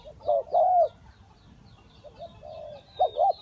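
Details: Spotted dove used as a trap decoy, Ninh Thuận: a few soft, mellow coos, two-part phrases with a pause between, while faint high chirps from small birds sound in the background.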